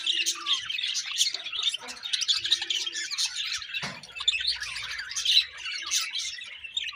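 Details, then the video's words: A happy budgerigar colony chatters nonstop, many birds overlapping in high, scratchy warbles and quick tweets, with a faint low thump near the middle. "Budgie birds Happy Colony Chirping"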